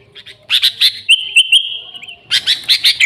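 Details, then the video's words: Sooty-headed bulbul singing, a lure recording for the species: a burst of chirps, then a drawn-out level whistle with small flourishes, ending in a fresh volley of bright repeated chirps. "Suara Burung Kutilang Gacor ASLI Tanpa isian, Ampuh untuk Pikat Kutilang bikin kutilang Ribut gacor"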